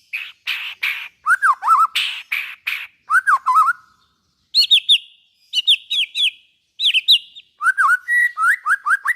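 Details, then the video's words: White-rumped shama song meant to stimulate other shamas: harsh raspy bursts alternating with wavy whistled phrases, then high trilled phrases separated by brief pauses and closing with quick repeated notes. "suara burung murai batu buat merangsang bunyi murai batu"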